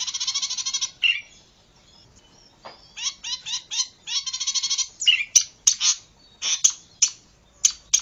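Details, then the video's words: Zitting cisticola song, used as a lure and training recording. A fast run of buzzy, harmonic-rich notes gives way to a pause, then clusters of short rasping chips, with sharp ticks near the end. "Pikat dan masteran burung cici padi"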